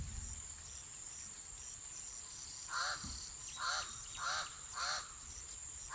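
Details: Pied crow (Corvus albus) near pastured donkeys on a farm gives four hoarse, arched caws in quick succession, about two-thirds of a second apart, over a steady high insect whine.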